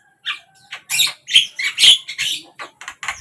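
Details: Javan myna singing, morning, midday and evening: a short series of separate harsh, rasping squawks and a bright whistled note, each spaced by brief pauses.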